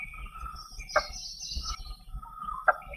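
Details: Blue-bearded Bee-eater of Western Ghats evergreen and semi-deciduous hill forests giving two short, harsh, guttural notes about two seconds apart, likened to someone chopping trees, over a steady hum of insects.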